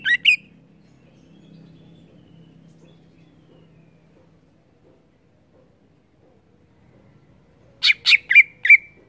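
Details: Greater green leafbird in gacor ngeplong song: a short burst of two rasping notes, a long quiet stretch with faint low rumble, then a quick series of about five loud, buzzy notes.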